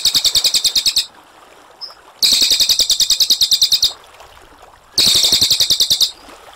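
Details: Cililin, a brown cililin, sings a clear rolling song for tutoring other songbirds. Three bursts of rapid, high, pulsing trill, each about one to one and a half seconds long, are separated by pauses of about a second.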